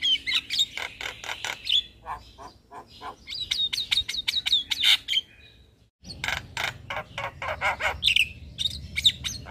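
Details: Javan myna master track full of fill-ins for young birds: rapid trains of sharp chips and high tinny whistles in bursts, a brief near-silent break midway, then more crisp repeated notes.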